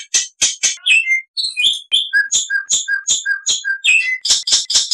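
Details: Black-winged starling song, a master training recording in full-fill style, with varied loud whistles and rising and falling notes alternating with sharp chirps in quick succession, with bursts of harsh, noisy notes at the end.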